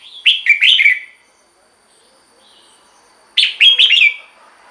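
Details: Red-whiskered bulbul singing for caged birds to respond to: two loud, lilting phrases of slurred whistled notes separated by a long quiet pause.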